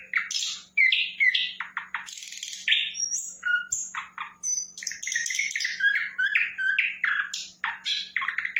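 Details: Lively flycatcher song made of rapid, varied chirps, slurred whistles and short buzzy notes in quick succession, with barely a pause over several seconds. A quiet constant low hum sits in the background.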